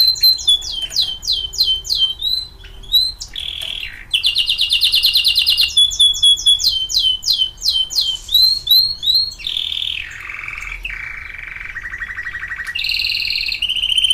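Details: Canary kept as a pet, singing a varied song of rapid repeated note series, buzzy bursts, dropping slurs and low rolling trills, each phrase changing pitch and speed; quiet room hum underneath.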